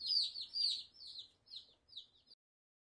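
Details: Black Australorp chicks peeping: a run of high, thin, downslurred peeps in quick bursts, loudest at the start and fading to spaced single notes, with no other sounds.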